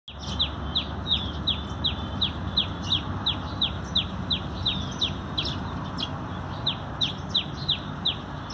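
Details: Sparrows at a feeding spot set up for sparrow conservation, recorded 19 November 2020: sharp, downward-slurred chirps repeated steadily about three times a second over a low background rumble.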